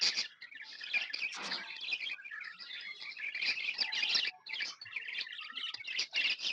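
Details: Chattering from several happy, hand-tamed pet budgies: a nonstop mix of buzzy warbles, squeaky chirps and short whistled notes, overlapping and busy, including a couple of thin steady whistles.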